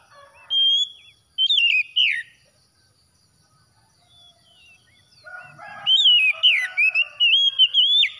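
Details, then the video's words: Oriental magpie-robin (kacer) song, offered as after-dawn therapy for a stressed bird: loud whistled phrases with sharp up-down slurs, a gap of near silence, then a longer run of rapid modulated whistles. "TERAPI KACER HABIS SUBUH"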